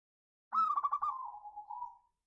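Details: Local zebra dove cooing, used as a lure to stir other birds to sing: a stuttering series of quick rolled notes that slides into one long, steady, slightly falling coo, clean and quiet.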